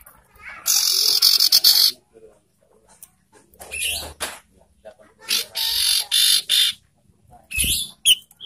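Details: Lure call of the ashy tailorbird, aimed at provoking birds and stimulating breeding condition: long harsh grating bursts, several in quick succession, separated by short silences.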